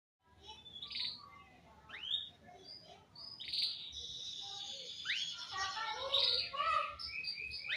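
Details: Male canary singing a varied song of rising whistled sweeps, short chirps and buzzy trills, delivered in irregular bursts that build into a dense, continuous warble toward the end.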